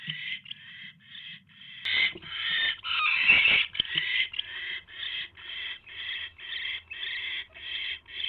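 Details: Owl pair at night, 8:34 PM on 24 January 2016, as the male brings his mate a third mouse; hoarse, rasping hissy calls repeated in quick, steady bursts, with a louder scuffling flurry midway.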